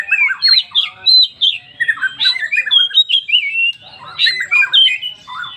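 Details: Oriental magpie-robin of the poci type, a 'full isian' lure song meant to set other magpie-robins singing: rapid, varied chattering and whistled phrases, squawky notes mixed with clear rising and falling whistles in quick bursts.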